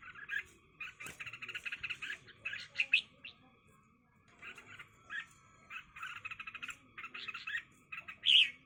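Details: Red-whiskered bulbuls fighting each other: harsh, buzzy chirping bursts in quick clusters, broken by short pauses, with one louder squeaky note near the end over a quiet background.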